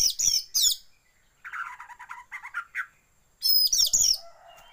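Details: Lure song of Oriental magpie-robin to make kept birds sing with tails spread, shama filler added; high, scratchy whistled bursts at each end, with a lower, rhythmic chattering rattle in the middle.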